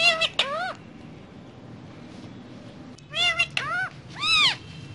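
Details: Pet parrot on a table with other parrots, giving short harmonic calls that arch upward then fall, in two bursts separated by a quiet gap of about two seconds.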